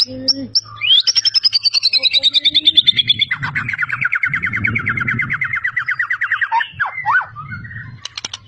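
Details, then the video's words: White-rumped shama from Medan, a champion caged songbird with mimicry of other species: a long fast rattling trill, falling from high to lower pitch, then a steady buzzy rattle and slurred whistles, over a low hum. "murai juara full isian gacor ngotot"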